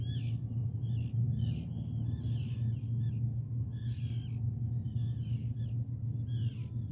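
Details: Series of short, rasping common raven calls, some quick and clipped, others drawn out, repeated irregularly over seven seconds above a persistent low droning rumble.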